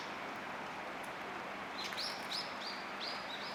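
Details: A male and a female common kingfisher perched on nearby twigs, starting courtship, give a quick series of about six shrill, high, piping whistles over a steady rushing wash like running water.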